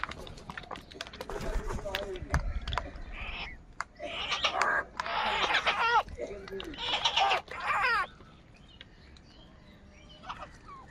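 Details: Many crows calling in the morning while fighting over food: loud, harsh, raspy caws in overlapping bursts through the middle of the recording, then fading to faint distant calls and background noise.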